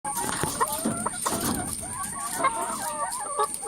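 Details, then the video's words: Many hens crowded in a coop, a dense overlapping chorus of short clucks and rising, wavering squawks from several birds at once, with a steady high electrical whine in the background. "Hen sounds effects - Lot of chicken in coop making various noise"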